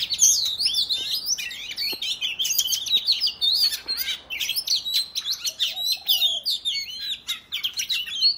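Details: Oriental magpie-robin (kacer) pouring out a provocative fighting song, the 'ngobra' style that sets other males displaying; continuous rapid chain of shrill zigzag whistles and chatter, loud and unbroken for the whole stretch.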